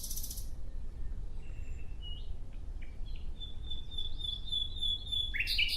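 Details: In a natural setting, a nightingale gives soft, separate whistled notes followed by a long, pure, sustained whistle that swells in loudness before a brief burst of sharper notes, with low background hum.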